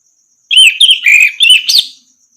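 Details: Orange-headed thrush in a tutor recording for training other birds: one rich, varied phrase of slurred whistles and warbles, a lower sweet middle note, ending on a sharp high burst, with a faint steady high ticking.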